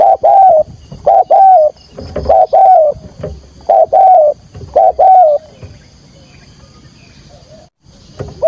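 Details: Lure call of a spotted dove decoy, 'thúc gù' urging coo in field voice, used to trap wild doves: steady paired coos, each a short note then a longer mellow falling one, fading to quiet with faint insects before one last coo.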